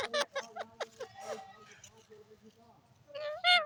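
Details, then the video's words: Pet parrot talking: a run of sharp clipped syllables, then quieter wavering tones, ending in a loud harsh squawk with strong bands. "parrot sound"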